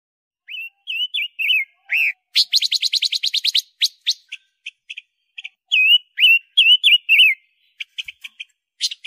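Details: Robin panca warna song used as a tutor recording for songbirds, a small bird with a loud voice: clear whistled notes sliding up and down, broken by a fast buzzy trill of about fifteen notes, then more wavering whistles and short chips.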